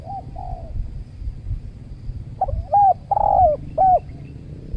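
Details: A trained decoy spotted dove and wild doves calling at a new luring spot next to a durian orchard. Soft distant coos open, then loud, clipped, bent coo notes come in quick bursts. A steady low hum runs beneath.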